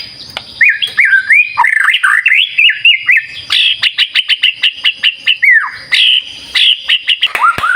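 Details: White-rumped shama in vigorous song: swooping whistled notes alternating with fast series of short, sharp chirps, one phrase repeated several times, then rising and falling whistles.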